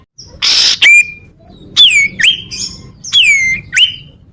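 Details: Common iora recording used to lure birds and provoke rivals into singing: loud downslurred whistles with harmonics, each ending in a level note, plus short buzzy bursts. The phrases repeat in a loose sequence.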